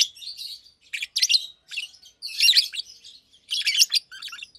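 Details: Daytime chirping from a pair of Fischer's lovebirds, blue and pastel green, nearly two years old and kept in cages: rapid scratchy high chirps in clustered bursts about every second.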